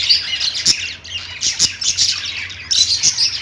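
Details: Lovebird chatter of shrill, high twittering chirps from a group, with sharp clicks and short squawks in uneven bursts over a few seconds.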